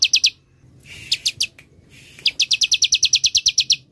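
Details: A few high sharp chirps from a bar-winged prinia, then a fast steady run of about fourteen downslurred notes. The recording is meant to lure birds and to serve as master audio for songbirds.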